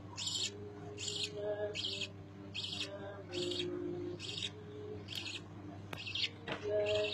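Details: Budgerigar chicks beg while being fed, giving harsh, raspy bursts repeated about every two-thirds of a second.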